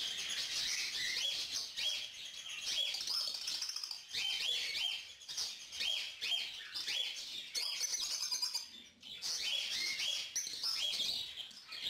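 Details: Begging from a young yellow lutino female cockatiel asking an adult male to feed her; harsh wheezing rasps come in bursts with short dips, mixed with repeated clear chirps and brief whistled notes.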